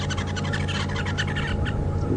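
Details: Red-billed buffalo weavers building a nest in a tree at Djuma Game Reserve, South Africa, on an afternoon drive on 7 October 2015, give a fast, harsh chattering of rapid squeaky notes over the low rumble of an idling vehicle engine.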